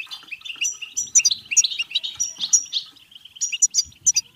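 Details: Singing European goldfinch, played to encourage singing and breeding; fast jingling twitters, nasal buzzes and crisp high whistled notes in irregular bursts over continuous chatter.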